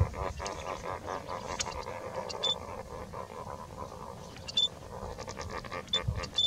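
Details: Lesser flamingos, seemingly quarreling as they start building nests: a dense, continuous, low nasal murmuring chatter from many birds, with a few brief thin high tonal notes toward the end.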